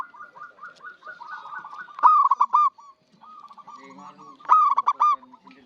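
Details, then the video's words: Local zebra dove singing steadily, kept as a lure for trapping birds: loud stuttering coos near one pitch break out twice, between softer rolling trills of cooing from other doves in the background. "PERKUTUT LOKAL GACOR UNTUK PANCINGAN SUARA BURUNG PIKAT"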